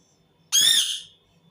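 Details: A single harsh, screeching squawk from an Indian ringneck parakeet, loud and rasping, lasting about half a second before fading, in a quiet indoor setting.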